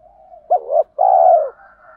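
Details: Spotted dove 'thúc gù' call for rousing trained doves: a faint hum, then a quavering short note and a long, smooth coo that fades downward, with soft background tones.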